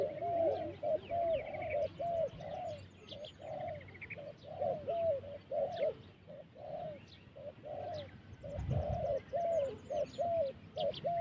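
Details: Turtle dove giving a long run of short, mid-pitched cooing notes, each swelling then flattening, about seventy a minute, with faint high chirps from small birds and a low background rumble.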